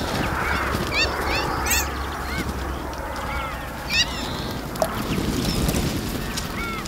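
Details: Group of Iberian magpies bathing in a fountain: scattered arched, slightly buzzy mid-pitched calls over constant splashing water noise, with a few higher sharp notes.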